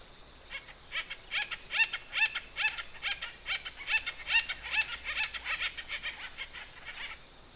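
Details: Acorn woodpecker (Melanerpes formicivorus) in Knickerbocker Canyon, Big Bear Lake, on 8 September 2021, giving its short chatter: a harsh, nasal run of quick raspy notes, about two or three a second, over a quiet background.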